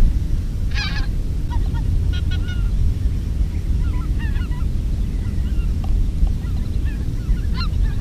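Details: Greater white-fronted geese, recorded in 2016 during decoy-calling, give high, yelping two- and three-note calls, scattered and overlapping, over a strong steady low rumble of wind or engine noise.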